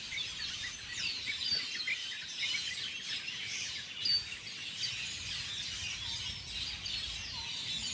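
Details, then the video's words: Several birds feeding on small fruits in a tree chirp continuously, a dense tangle of high, quick tweets and brief up-slurred notes with no pause, over faint low rumble. "the sound of birds chirping"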